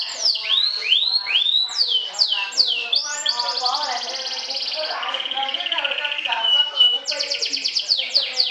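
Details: Atlantic canary, a champion trilling singer, sings to provoke rivals. Several loud down-slurred whistles open the phrase. A buzzy rapid trill follows, then a lower sustained whistle, and it closes with quick repeated sweeping notes.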